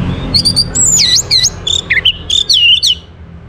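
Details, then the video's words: Orange-headed thrush (Geokichla citrina), a caged bird in Bali, sings to prompt other birds to join: a rich, varied phrase of loud slurred whistles, rising and falling sweeps and short trills, with a faint low hum. "KICAUAN ANIS MERAH UNTUK PANCINGAN AGAR BURUNG IKUT BERKICAU"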